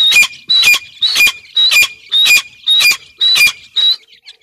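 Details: Grey francolin chicks being fed: loud harsh squawking calls with a thin whistled edge, eight calls at an even pace of about two per second, with nothing else in the background.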